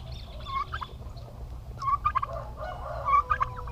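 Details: Domestic turkey males penned together on a Paraná farm in Brazil, said to be fierce and to fight, giving a brief gobble early, then two more rapid warbling gobble bursts near the middle and end.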